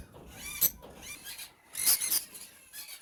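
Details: Aviary-kept adult lovebirds, a mix of peach-faced, masked and Fisher's pairs, making a few shrill, harmonic squeaks, one short isolated note followed by a louder, denser burst of chattering chirps.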